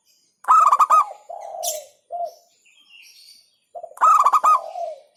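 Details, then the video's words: Singing local zebra dove, with an emphatic phrase. A loud burst of quick stuttered notes trails into a drawn-out soft coo and a short coo, then the burst returns after a brief pause. "Hentakan Burung Perkutut LOKAL Suaranya Berkelas"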